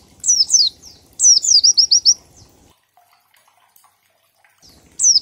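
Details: Ngalas-style oriental white-eye song with a 1234-beat pattern, played to lure birds into singing; quick falling double whistles, then a phrase running into a fast buzzy trill, a long silence, and one last whistle.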